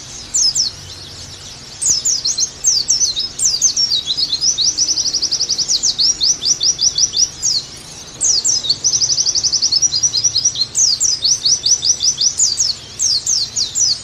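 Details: Song of a kept Oriental white-eye used for conditioning and tutoring, with long bursts of shrill, rapid twittering, fast rattling trills and repeated falling whistles, broken by a few short pauses, and faint low background hum.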